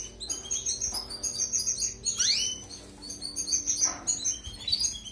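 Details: European goldfinch song for training canaries: a steady stream of high, tinkling chatter, with a loud sweeping flourish in the middle and another toward the end.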